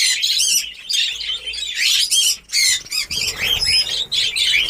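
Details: Budgerigars in a newly set up captive breeding colony at the start of breeding, Darbhanga, Bihar: dense overlapping chirps and harsh squawks from many birds, in bursts separated by brief pauses, with faint low rumbling noise.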